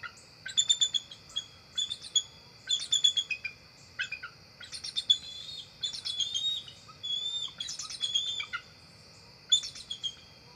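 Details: Field camera at a bald eagle nest, October 4, 2023, as two adults arrive before dark; repeated clusters of quick, high, piping chitters, about a dozen bursts, against a constant high insect drone.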